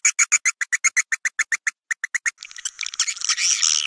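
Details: Swiftlet calls for attracting swiftlets to roost in swiftlet houses: about sixteen evenly spaced sharp clicking chirps, then dense high twittering chatter for the final second and a half.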